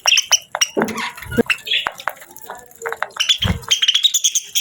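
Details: Pet budgerigars chirping: quick high chirps and short scratchy warbles in uneven bursts, broken by a few low thumps and brief pauses.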